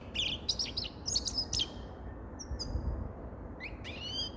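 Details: Grey-crowned goldfinch singing: quick high twittering notes for about a second and a half, a pause broken by two thin high notes, then rising chirps at the end over a low rumbling background.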